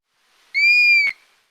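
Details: A Dusky-capped Flycatcher gives one clear, pure, over-slurred whistle, about half a second long, highest in pitch in the middle and then easing down. It is a sound one could imitate by whistling, and it ends with a brief click.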